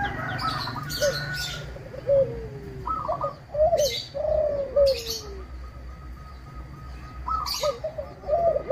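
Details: Local zebra dove singing to provoke rival doves; soft stuttering coos with trilled notes and descending glides, repeated, alongside sharp high chirps of other birds.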